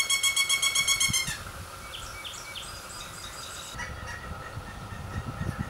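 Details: Young Pileated Woodpeckers, three chicks at the nest, beg as parents come in to feed them: a fast run of nasal, harmonic-rich calls, about ten per second, loud for a second, then trailing off into fainter calling.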